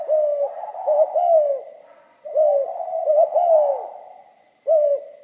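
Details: Spotted dove singing in the 'giọng pha kim' (mixed-metal voice) style: mellow, low cooing phrases of curved, slightly falling notes in bursts separated by brief pauses. A faint steady high tone sits underneath; no other birds.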